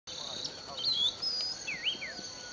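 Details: Unidentified bird singing in a sugarcane field at Bulechia, Western Kenya, December 2011: short, clear, swooping whistled notes near one and two seconds, over a steady high insect trill.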